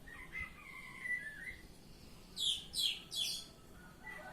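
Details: Oriental magpie-robin (kacer) in ngeplong song style: drawn-out whistled notes at first, then three loud, sharp downslurred notes about half a second apart, and a faint whistle at the end.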